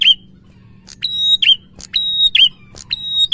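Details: Prinia song aimed at getting a quiet prinia singing: rapid click-whistle-buzz phrases, high and flat then dropping, repeated about once per second over a low hum.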